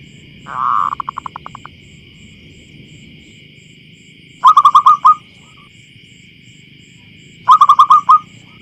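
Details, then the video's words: Field-recorded wild zebra dove, small, clear and loud: opens with a blurred, louder coo trailing off into fading pulses, followed by two crisp six-note coo bursts three seconds apart. "Suara Pemikat Burung Perkutut Lokal Alam Liar"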